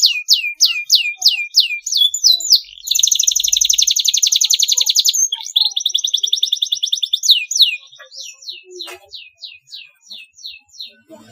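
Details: Lure song of a canary meant to stimulate juvenile birds to learn to sing: quick downslurred notes, a long dense rattling trill, a rolling phrase, then slower spaced chirps.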